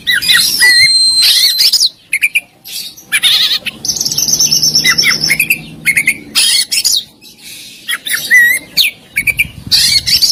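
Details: Oriental magpie-robin, the kacer kept for singing contests, delivering isian and tembakan: loud bursts of harsh squawky notes alternating with whistled phrases and slurred upward notes, separated by short gaps over a faint low hum.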